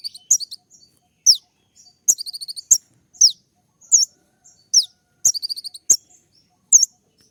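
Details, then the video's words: Kolibri ninja sunbird in 'tembakan' style, a sharp dense song played in the morning to provoke other birds: very high chirps with upward flicks, separated by short rapid stuttering trills, in bursts roughly every half to one second. "masteran suara tembak yang buat konin emosi"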